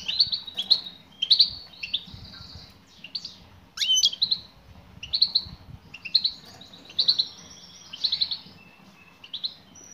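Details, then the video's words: Calls of a female European goldfinch directed at a male. Crisp high chirps come in twos and threes about every second, with one sharp upward-sweeping note partway through. "بتبتات أنثى مقنين أسمعها مقنينك وشاهد ماذا سيفعل حينما يسمع نداء الأنثى"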